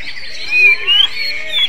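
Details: Greater green leafbird with a song compared to the oriental magpie-robin; a few drawn-out rising whistles over a soft warbling background.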